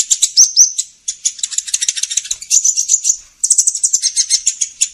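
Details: Sunbird lure sound for trapping: a couple of high, rising chirps, then a dense, rapid, rattling twitter that runs almost continuously, pausing briefly twice.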